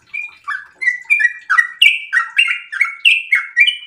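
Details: Breeding-condition sooty-headed bulbul in rapid 'ropel' song, suited as a lure and master recording: short burst of clear warbled notes, rising and falling in quick succession, growing louder and slightly higher toward the end.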